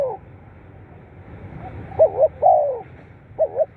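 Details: Spotted dove cooing, used to stimulate captive birds. One full phrase of two clipped notes and a drawn-out falling coo, then the start of a second phrase, over faint low background noise.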